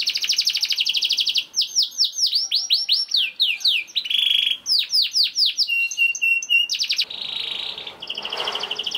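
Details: Young canary in full rolling song, a lure to set other canaries singing: rapid descending note trains, a high buzzy roll, whistled phrases and chirps, then a rougher noisy stretch toward the end.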